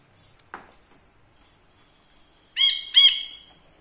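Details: Ashy bulbul, a tutor bird for training other songbirds, showing off in front of the camera: a faint short note, then two loud, harsh, nasal notes in quick succession near the end.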